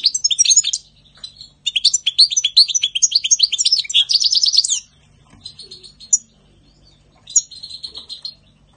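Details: Energetic European goldfinch song from spring 2020: loud, tumbling runs of liquid twittering and rolling trills pouring out for several seconds, then quieter, thin buzzy notes and a few isolated chirps.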